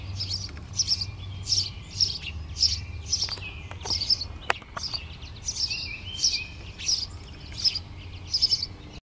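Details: Finches nesting as a family in an attic vent give clusters of sharp, high squeaky chirps about every half second, with brief pauses, a single click midway, and a constant low mechanical hum beneath.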